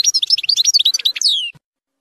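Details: European goldfinch zilzal song containing strong nahrat, played to teach young goldfinches; a continuous rapid chatter of bright, high, bouncing notes ending in one long, smoothly falling whistled slide, then silence.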